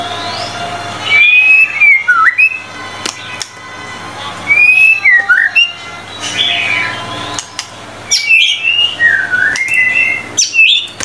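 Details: Murai batu, the white-rumped shama, in gacor singing: loud whistled phrases with sliding notes and sharp upslurs, delivered in bursts separated by short pauses, over a faint electrical hum.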